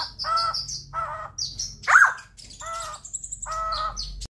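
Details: White-crested laughingthrush (Garrulax leucolophus) giving nasal, rich notes about once a second, broken by a louder rising-and-falling squawk; thin high whistles from other birds behind.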